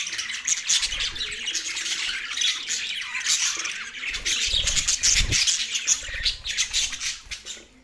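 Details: Chattering Australian budgies, mating behaviour, produce a thick wall of squawky warbles and rapid chirps; a brief flapping or low thumping sound appears midway through the steady chorus.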